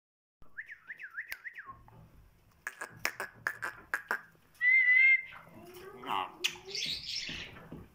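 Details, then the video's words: Kandari myna talking and singing: a run of rapid warbled notes, then sharp clicks, a pure whistled tone and harsh rising squawky phrases, with a voice nearby. "Mayna talking kandari bird"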